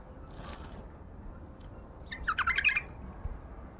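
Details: A wild bulbul (Baghdadi) gives one short, bubbly phrase of quick, liquid, warbled notes lasting under a second, over a steady hiss of background noise.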